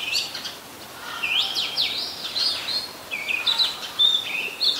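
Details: Oriental magpie-robin, a very common resident, singing in Ubon Ratchathani, Thailand, on 26 December 2020: varied clear whistled phrases around high pitch, sliding notes and short trills delivered in bursts with brief pauses.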